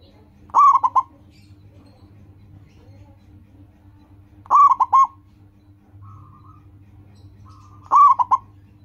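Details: Local zebra dove singing loudly, used as a lure to train caged doves to sing: three short phrases of rolling, staccato coos, each a quick burst of three or four notes, repeating about every three and a half seconds over low hum.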